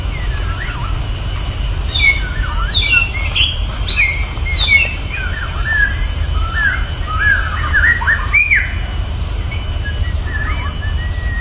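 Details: White-rumped shama singing in the wild, with other birds answering; bright whistled notes, rising and falling slurs and short trills tumble continuously between high phrases over a steady low rumble of background noise.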